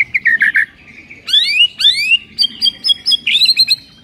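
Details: White-rumped shama song used to trigger a listless shama into singing: quick choppy notes, then sweeping upslurred whistles and a run of bright repeated two-tone notes.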